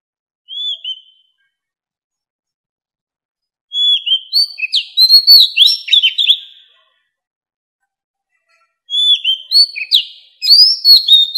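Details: Mature wild Oriental magpie-robin singing, used as a lure call: a short whistled upslurred note, then two long bursts of rapid varied whistles, trills and sharp chirps with brief pauses between them, against a silent background.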